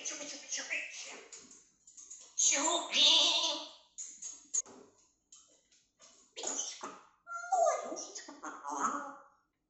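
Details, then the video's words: A female grey parrot left alone in her cage indoors while her owners are out chatters in bursts of speech-like mimicry, mixing garbled words with sharp whistles and clicks, in a small room. "ЧТО ПРОИСХОДИТ КОГДА ЖАКО ПЕТРУНЯ ОСТАЕТСЯ ОДНА (в клетке)?"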